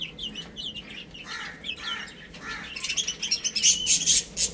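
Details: Little chicks playing and eating; soft high peeps slide downward early on, then loud sharp pecking clicks come in quick bursts near the end.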